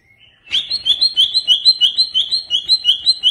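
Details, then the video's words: Greater green leafbird (Cucak Ijo) singing an agitated lure for pet birds: an unbroken run of high paired notes repeated about five times per second, bright and chattering. "Pancingan Burung Cucak Ijo Stresss"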